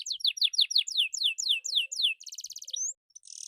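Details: Canary song meant to get silent birds singing: a series of loud downslurred whistled notes about four per second, then a quick buzzy rattle, a rising whistle and a short harsh burst.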